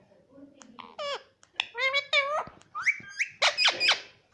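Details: Pet parrot kept indoors imitating the word 'papa': a string of short, squeaky, warbling voice-like syllables with bending pitch, several in quick succession over about four seconds.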